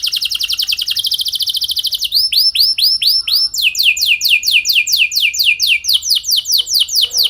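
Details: Lure song of a canary for training: a quick buzzy trill, then slower arched whistled notes, then a run of loud down-slurred notes repeated about three per second.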